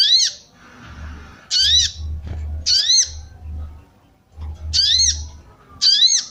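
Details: Female sooty-headed bulbul calling to excite males: five harsh, rising-then-falling squawky notes spaced irregularly, one to two seconds apart, over low rumbling hum.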